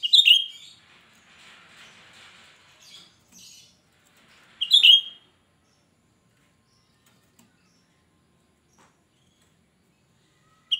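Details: Loud shrill song of a lively cucak rante, used as a lure for others of its kind: piercing slurred whistles repeated roughly every four to five seconds, with soft buzzy chatter between and quiet pauses.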